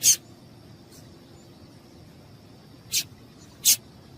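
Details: Call of a female yellow-bellied seedeater, used by breeders to warm up males into singing; three brief, piercing high chips at irregular intervals, with a thin continuous tone in the background.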